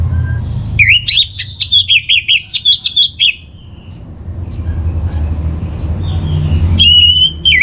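Orange-headed thrush singing a quick run of about a dozen sweet, slurred whistled notes, then a lone rising whistle after a pause, over a low background rumble.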